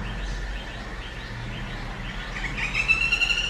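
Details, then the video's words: Black-rumped flameback woodpecker at Ottappalam, Kerala: faint scattered high chirps, then near the end a sudden fast, dry, high-pitched rattling trill of evenly spaced notes, over a steady low background rumble. "Black-rumped flame back wood pecker"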